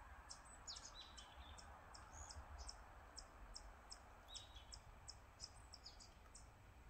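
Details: Great spotted woodpecker in a spring forest, 11 March 2023, 17:28: short, sharp high notes about twice a second, with a few softer chirps, over steady low rumbling background noise.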